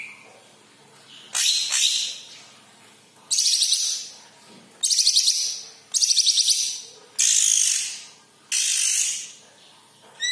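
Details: Yellow-headed green leafbird song, used to get other kept birds singing: a string of loud, rasping trilled phrases, each about a second long, delivered at irregular intervals with quiet gaps between.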